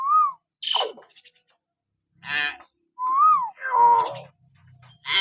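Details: Common hill myna whistling used to provoke pet mynas into singing: two arched whistles alternate with a sliding screech, a rasping squawk and a nasal honk.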